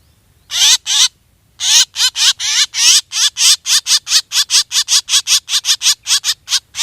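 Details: Black drongo calls used to lure birds for hunting: two spaced harsh notes, then a steady rapid train of buzzy, wavering calls that gradually shorten.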